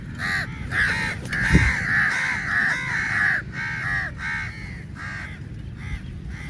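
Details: A large crowd of crows fighting over meat fills the air with continuous overlapping harsh caws, a drawn-out raucous chorus, with a sharp knock near the start.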